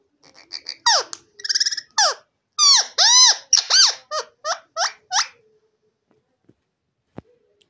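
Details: Indian ringneck parakeet talking, shouting "totay bemar hain" as a rapid string of squawky, speech-like syllables, then falling quiet apart from a few faint clicks.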